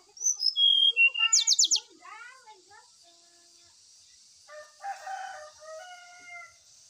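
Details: Brown-chested jungle flycatcher lure song for birds aired in the dew. High whistles and a rapid buzzy trill come first. After them, lower drawn-out harmonic calls like a rooster crowing continue to the end.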